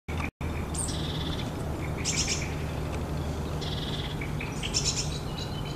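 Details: Long-tailed tit giving high, buzzy, slightly rolling calls in short bursts, with thin high notes between, over steady low wind rumble.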